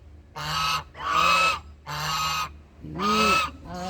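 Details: A duck gives repeated rough, buzzy honking calls, with a lower, smoother tonal note between them and a short arched call near the end, about four calls in quick succession.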